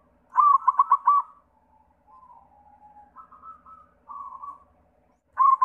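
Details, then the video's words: White zebra dove singing as a lure for other doves: a quick run of rippling coo notes, then several quieter, longer, level coos at varied pitch, and a fresh loud burst at the end. "Sura Perkutut pitih PAMCINGAN SEMUA JENIS PERKUTUT"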